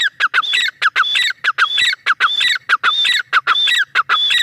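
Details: Loud, evenly spaced calling of a female grey francolin: a shrill whistle and harsh falling notes repeat in a regular, driving rhythm, about every half second.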